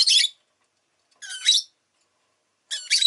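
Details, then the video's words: Three loud, harsh, buzzy squawks from a rosy-faced lovebird, each about a third of a second long and spaced roughly every one and a half seconds. "Lovebird Chirping Sounds"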